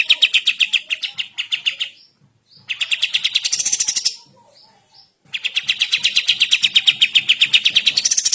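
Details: Sooty-headed bulbul singing lively in the morning, recorded as a tutor track for training birds: fast chattering runs of repeated notes, with one burst climbing into a higher, hissing trill, and brief quiet breaks.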